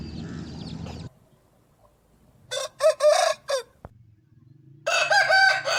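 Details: Crowing Aseel cockerel: a burst of four choppy, strident syllables mid-clip, then a sustained harsh crow at the end, preceded by a rushing noisy stretch.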